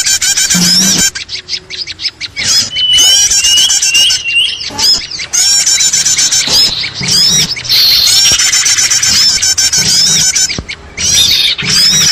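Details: Noisy chorus of small birds used as a lure for trapping: dense, overlapping high chirps, squeaky rising notes and harsh squawks come in bursts broken by brief near-silent gaps, with a faint low hum beneath.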